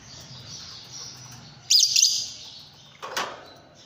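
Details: Fischer's lovebird, a pet parrot, with a quiet stretch broken by a loud, shrill burst of high chattering chirps, then a brief rasping knock or flutter near the end.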